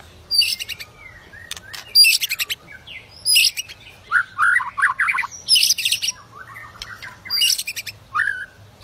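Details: White-rumped shama in aggressive, fired-up song meant to provoke other shamas into singing and fighting: loud bursts of varied phrases, high harsh chatters mixed with lower slurred whistles, delivered in separate spurts about every second with short pauses.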